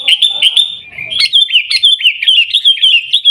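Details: Sooty-headed bulbul, Aceh, Indonesia, in the 'Gaya Garuda' style: a smooth sustained whistle that dips, then a fast, even series of bright chirped notes, roughly six per second.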